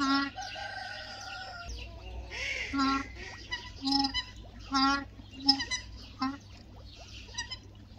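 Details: Pair of New Zealand scaup, diving ducks endemic to New Zealand, giving short, nasal, honking calls roughly every second, with thin chirps from small birds above.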